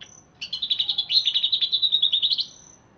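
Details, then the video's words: Greater green leafbird originally from Alas Purwo forest in Banyuwangi, freshly bathed, delivering a two-second burst of fast, rattling, high warbled notes in quick regular pulses. "Cucak Ijo Alas Purwo Cerewet"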